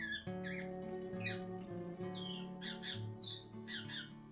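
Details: A lovebird that had been found gives shrill, scratchy chirps in short bursts about every half second to a second, over steady background music in a small room.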